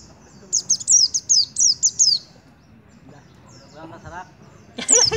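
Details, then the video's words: A white-eye (pleci) sings in 'kolibri' style: a rapid series of high, thin, falling whistled notes, about seven in under two seconds, then a faint mutter and another burst. "Pleci Nembak Kolibri Depan Muka"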